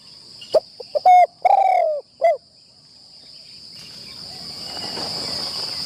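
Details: Spotted dove used as a decoy on its first training session in a trapping tent, giving a series of low, hooting coos, some short and clipped, some drawn out, followed by quiet with a steady high insect drone behind.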